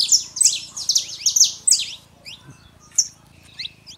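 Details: Male and female Saffron finch song for warming up a quiet canary: a dense opening burst of shrill, overlapping chips and slurs that breaks into sparse, isolated high notes and short trills, with low hum beneath.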